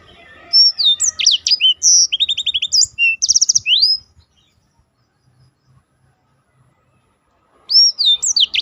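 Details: Black-throated canary singing for competition training, a four-second run of high slurred whistles and fast buzzy trills, followed by silence and a brief restart of sweeping notes.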